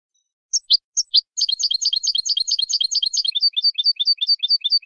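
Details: A canary sings malagueño song, recorded to teach young birds. A few spaced high chirps open into a rapid, continuous chain of bright trilled syllables, later settling into a more even, slightly lower repetition. The background is silent.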